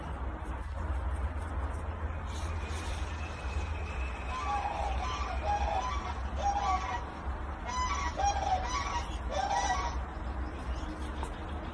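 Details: An orphaned young Sandhill Crane chick in care at a wildlife rescue gives short, rising, slightly trilled peeps in loose runs over a steady low hum.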